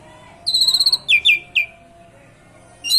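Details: Asian pied starling voicing canary-like song, meant to encourage other birds to sing; a quick pulsing trill followed by three loud downslurred whistles.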